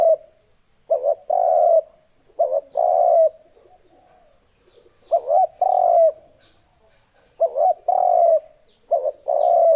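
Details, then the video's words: Repeated spotted dove coo phrases for luring decoy birds: clusters of a brief rising-falling note plus a longer resonant coo, occurring in bursts with short pauses. "Âm thanh kích chim cu gáy mp3 mới nhất 2021! (Tiếng kích chim bổi)"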